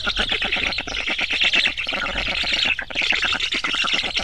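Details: Black stork: harsh, rasping, rapidly pulsed sound, several grating pulses a second, running almost continuously with brief pauses, loud throughout.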